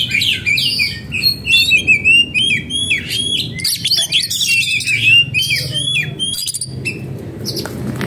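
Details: {'caption': 'Oriental magpie-robin, in breeding condition and agitated, gives a lively run of bright whistles, chirps and scratchy notes, steady and loud throughout, with a faint low rumble beneath.'}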